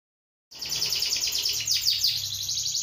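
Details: Canary offered for sale, singing continuously after half a second of silence: rapid, bright trilled phrases pitched high, rolling notes repeated in quick succession with slight sweeps, steady loudness throughout.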